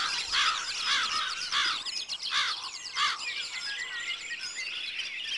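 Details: Wood duck giving a series of loud, harsh squeals spaced roughly half a second to a second apart, set against a dense, busy chorus of chirps and thin whistles from many other birds.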